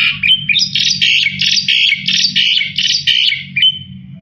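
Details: Continuous gacor song of a Black-winged myna, full of varied filler phrases, used for tutoring other songbirds: dense, harsh, chattering notes pulsing about three times a second, ending on a thin whistle, with a low background hum.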